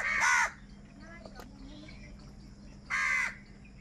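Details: Two separate harsh caws from crows fighting over food, about two and a half seconds apart, with quiet background and a faint hum between.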